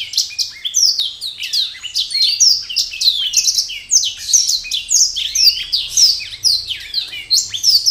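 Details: Black-throated canary singing to invite a mate: a continuous, rapid stream of high twittering notes, sharp downslurred chips and buzzy trills with scarcely a pause over eight seconds, with no other clear sounds.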